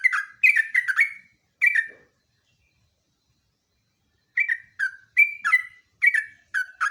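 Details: Sooty-headed bulbul in full ngeropel song, used as a lure and master recording. Rapid chains of bubbly, slurred whistles run together, stop for about two seconds of silence, then return as another string of similar fluty notes.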